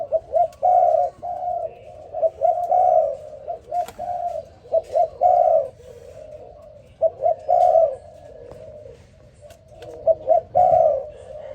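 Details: A spotted dove calls in the morning, giving repeated rolling coo phrases of short and longer hooting notes, each phrase a few seconds long, with brief pauses and a calm background.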